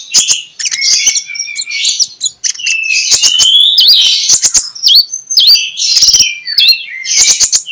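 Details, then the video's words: Magpie-robin singing in the morning in the loud open ngeplong style, used as a lure to get sluggish magpie-robins singing: rich, fast run of varied whistles, buzzy slurred notes and sharp clicking ticks, bright and unbroken. "2 Menit di Pagi Hari MENJUR untuk PIKAT Konin Lelet jadi NGOBRA, Menggunakan Suara KONIN Ngeplong"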